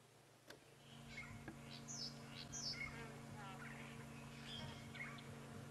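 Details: A pair of southern black tits, one landing atop a marula tree, on a South African sunrise safari drive, 11 September 2016, give thin, high buzzy 'zeet' calls in quick, uneven bursts over a steady low engine hum and quiet talk.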